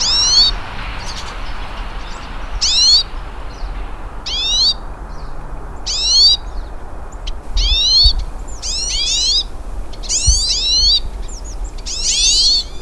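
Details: Several hooded siskins singing out in nature: bright, curling whistled phrases repeated every one to two seconds, interspersed with short high chips, over a low steady background rumble.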